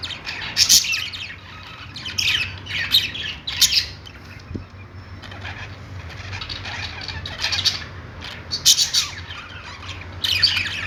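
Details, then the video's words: Budgerigars in a pet store chatter in repeated loud clusters of scratchy, buzzy chirps separated by brief lulls, with a faint wing flutter and low background hum. "budgies singing | budgie sounds"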